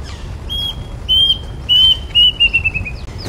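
Plaintive cuckoo giving clear, high whistled notes that speed up into a quick falling series, over a soft hiss of rain with faint chirps from other birds.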